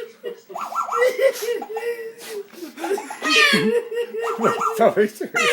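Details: A female orange-winged Amazon chatters in high, speech-like phrases and bursts of mimicked laughter, with a person talking to her nearby in a small room.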